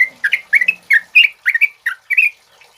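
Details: Close, loud phrases from a male yellow-vented bulbul (trucuk kebo) used as a song tutor: about eight bubbly, slurred double notes delivered rapidly in under three seconds.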